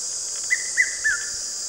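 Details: A male Red-chested Cuckoo in South Africa gives its summer call of three quick whistled notes ("Piet-my-vrou"), the last slightly lower, over a steady high insect drone.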